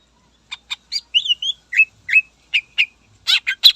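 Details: Energetic greater green leafbird singing to rile rival birds; short chips build into a busy sequence of whistled, wavering phrases and scratchy notes.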